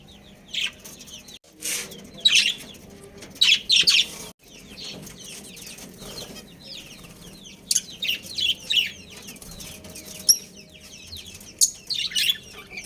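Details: Budgerigar breeding pair kept as pets, giving sparse high chirps and short scratchy twitters in scattered bursts separated by quieter stretches, with a faint hum.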